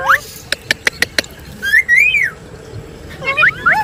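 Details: Parrot giving clear whistled notes that sweep up to a high pitch, a quick burst of about five sharp clicks, then a long rising-and-falling whistle and a few more short upward whistles.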